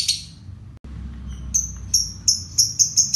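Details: Lovebird fighter in ngekek konslet style, a trill used to train other songbirds: a short high burst, a brief pause, then a new series of sharp chips starting slowly and quickening.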